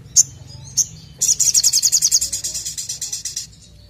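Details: Ashy drongo in vigorous song, used to prompt other birds to sing: two sharp high chips, then a fast, even trill of about twenty bright high notes lasting over two seconds.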